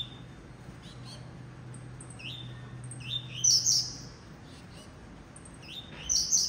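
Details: Blue-black grassquit song: rising whistled notes each followed by a sharp buzzy burst, given in two bouts about three seconds apart, with a low hum in the first part.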